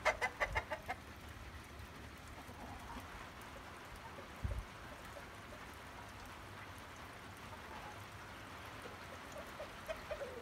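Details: Hens and roosters fighting over bread: a quick burst of clucks at the start, then mostly low background noise with a thump and a few faint clucks later.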